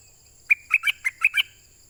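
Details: Pied fantail, a southern Thai bird, calling for a mate: six short, sharp chirped notes in quick succession over about one second, each clipped and bright, against a quiet background.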